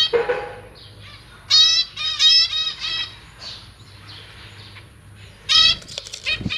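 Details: Captive zebra finch brood of newly fledged young practising their flying in a large cage, 1 May 2023. Loud wing flapping mixes with a run of harmonically rich, buzzy nasal calls, then quiet, then another burst of calls.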